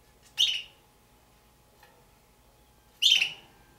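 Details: Captive juvenile red-billed hornbills, two birds thought to be Damaraland subspecies, uttering two harsh, buzzy calls about two and a half seconds apart, each dropping away quickly, with a faint click between them.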